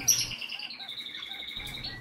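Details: A female kakariki parrot, a pet showing courtship behaviour toward her owner, gives one long, thin whistled squeal that slides slowly downward in pitch for about two seconds, with a faint low hum behind it.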